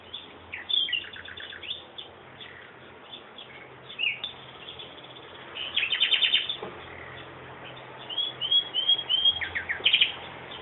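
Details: Bird song of varied high chirps, twittering phrases and brief rapid trills separated by pauses, over faint background hum.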